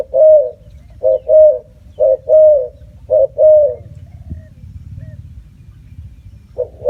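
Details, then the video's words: Spotted dove giving a repeated low coo: short clipped note followed by a longer rounded coo, the pair repeated about once a second over a steady low rumble of background noise, with a faint tap midway. "Bird sound spotted dove"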